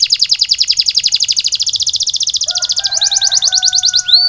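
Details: Canary in molt recovery sings a long, fast, even rolling trill that slows into separate notes, with a faint steady tone underneath.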